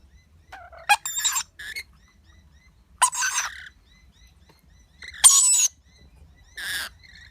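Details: Lorikeet chick being fed by its parents, making irregular harsh squawks and buzzy rasps, some paired, with faint thin tones between bursts.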